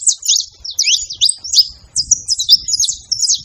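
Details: Many saffron finches on a farm, calling together in quick bursts of sharp, high, slurred chirps and buzzy notes, with brief pauses between the rapid phrases and soft low background rumble.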